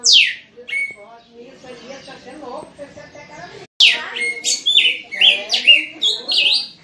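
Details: Red-cowled cardinal song used for training young birds. It opens with a loud downslurred whistle, then a softer low murmuring stretch, then a quick run of sharp falling and stepped whistled notes.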